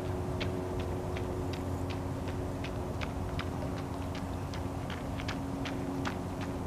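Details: Wilson's snipe on Salmon Creek trail, Vancouver, Washington, giving a steady series of short, dry, high ticking notes, about three per second, over a heavy low engine-like rumble.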